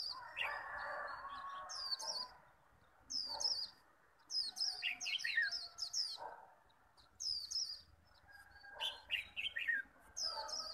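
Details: Caged Japanese white-eye singing in a heated líu contest that calls out a rival bird, giving repeated bursts of quick high twitters mixed with lower down-slurred notes, and steady background chatter from other birds.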